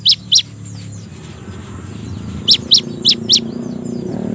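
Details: Cinereous tit calls come in small clusters of bright high chirps, two at the start and four later, separated by a quiet stretch with low background noise.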